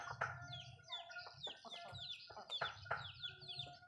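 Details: Malay chickens feeding in a backyard, giving soft clucking notes and quick falling peeps, with a few sharper louder calls among them.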